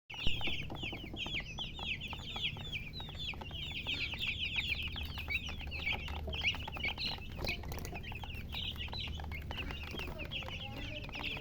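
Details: Baby chickens chirping: a dense, continuous chorus of short, high, downward-slurred peeps from many chicks overlapping throughout, over a low steady hum.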